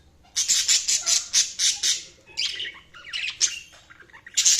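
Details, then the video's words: Budgies give rapid harsh chirps repeated several times a second, then softer warbled chatter and a final loud burst. "Budgies Sounds| Budgies Chirping sound"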